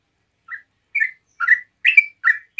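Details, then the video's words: Yellow-vented bulbul opening a rapid relaxed song to prompt other bulbuls to reply: one quiet chirp, then five louder gurgling notes quickly stepping between higher and lower pitch. "TRUCUK NGEROPEL SANTAI BUAT PANCINGAN TRUCUKAN LAIN LANGSUNG NYAUT"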